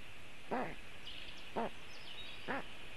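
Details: Black stork nestlings on a webcam nest in Latvia, calling for cooling on a very hot day in June 2018: three separate hoarse, harmonic calls about a second apart, with a faint bird twitter and steady hiss.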